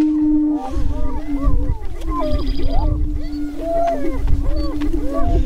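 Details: Spring mating dance of Greater prairie-chickens on a lek near Crookston, Minnesota, April 27, 2013: many overlapping whoops and short cackles above a steady low boom, with strong low wind rumble.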